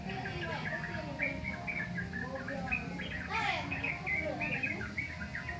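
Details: Young sooty-headed bulbul learning to sing: a rambling run of short chirps and slurred warbled notes, mostly mid-high and uneven in rhythm, over a low steady hum with faint voice-like sounds.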